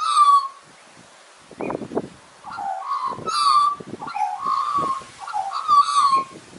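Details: Singing Australian magpie, its mellow, warbling notes repeated in short phrases with clear ringing overtones, broken by a few dull knocks and thumps in the background.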